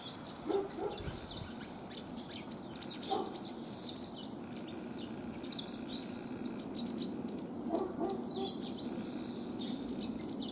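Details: White wagtail singing as it walks along by a puddle, beside a swallow gathering nest material; quick, high, thin twittering chirps run in loose bursts throughout over a steady low background rumble.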